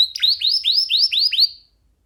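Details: Young pet canary, loose and perched on a hand, singing a short phrase of about six swooping upslurred whistles at a steady pace before falling silent.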